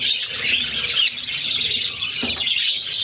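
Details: Six budgie chicks begging while their mother feeds them: steady, shrill chattering and squeaky chirps packed tightly together for the whole stretch, with a brief knock-like sound near the end.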